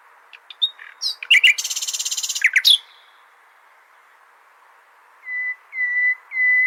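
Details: Common nightingale song played to teach goldfinches: clipped chirps lead into a rapid buzzing trill, followed after a silence by three drawn-out pure whistles, each louder than the last.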